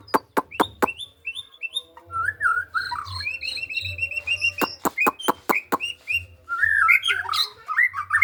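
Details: White-rumped shama in Indonesia singing loud snapping clicks, then repeated short whistled notes and varied warbling phrases, with more click series mid-way; steady low hum in the background.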